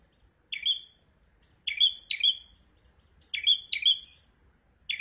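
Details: Prinia known locally as prenjak merah or prenjak abang, giving a series of sharp, bright chirps, often paired in quick succession, repeated about every second or two over a quiet low rumble.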